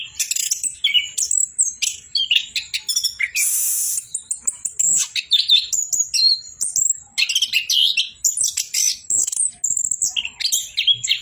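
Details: Orange-headed thrush pouring out a long, busy song of very high chirps, chattering trills and a loud rasping burst, notes tumbling rapidly with only brief breaks.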